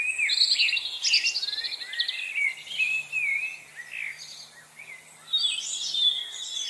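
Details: Chickadees in a frenzy, recorded November 25, 2020, pour out dense high chirps: a rapid run of stuttering notes at the start, then sliding whistles and buzzy calls from several birds at once.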